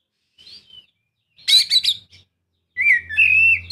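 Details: A soft whistle from an Oriental magpie-robin, then a harsh chattering burst and a drawn-out sliding whistle, played to provoke a quiet bird; a steady low hum can be heard underneath.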